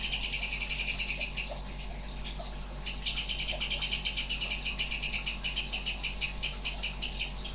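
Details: Sooty-headed bulbul (cucak cungkok) pouring out strange, high, buzzy pulsed notes in a fast stream. It pauses briefly, then resumes with a long run of rasping pulses that gradually spread apart.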